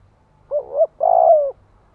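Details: ['Decoy spotted dove calling to stimulate males: one phrase of a short rising-falling coo and a longer steady coo that drops at the end.']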